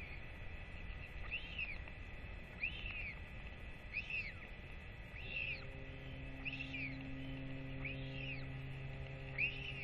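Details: Northern royal albatross parents returning to feed their chick in October 2024: a series of seven arched whistles repeated about every 1.3 seconds, with a steady low humming tone joining halfway through.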